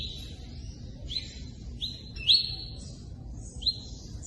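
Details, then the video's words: Tui tui song in the "cortando canto" style, with pauses between phrases and running water. Short whistled notes sweep upward near the top of the range. They are spaced about a second apart over a steady low rushing of water. "Tui Tui ( cortando canto ) com intervalo e som de água corrente."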